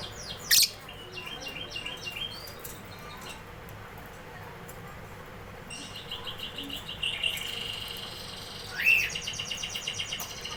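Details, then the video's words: Singing canary: a short burst of quick high notes, a pause with a few faint chirps, then a fresh high rattling trill and a loud accented note followed by repeated pulses. "canary singing"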